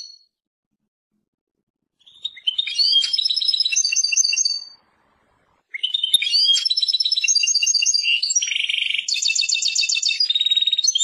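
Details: European goldfinch, named as Persian, opening with a short tinkling phrase, pausing, then launching into an extended fast medley of twitters, buzzy trills and jangling notes.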